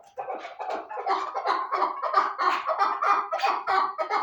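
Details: Chukar partridge, called kabk locally, giving dense overlapping harsh clucking notes, about one and a half per second, mid-pitched and uneven, building slightly in loudness as several voices seem to run together.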